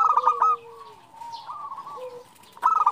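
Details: Bursts of rapid staccato cooing from a female zebra dove calling the male bracket a quieter wavering trill. Two lower falling whistles sound in between.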